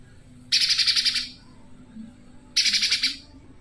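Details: Tame spiderhunter kept outdoors, its fierce voice used as a master song for training songbirds: two harsh, buzzy bursts of rapid pulsed notes, each lasting under a second, about two seconds apart.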